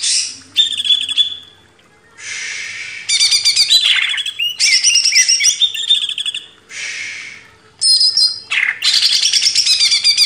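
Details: Greater green leafbird singing on a master recording made for training cage birds: loud, varied high phrases of rapid chattering notes, harsh buzzy bursts and clear whistled slurs, broken by short pauses.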